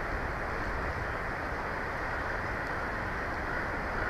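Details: Continuous low roar and broadband hiss, vehicle-like, steady throughout, and no animal voices.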